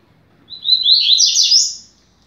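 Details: Fast-beaked song of a double-collared seedeater, used to teach young birds: one continuous phrase of rapid, high, warbling buzzy notes lasting over a second, rising toward the end.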